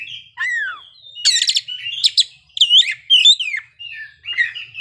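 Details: Oriental magpie-robin in ngeplay style, displaying its isian: a downslurred whistle, buzzy rattling bursts and rising looped notes, delivered in separate phrases with short pauses between them.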